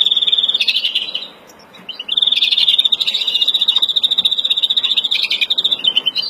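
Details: European greenfinch, Verdune mutation, agitated breeding song recorded April 2016: rapid high trilled notes, a brief pause after the first second, then a long sustained trill with slight pitch wobbles.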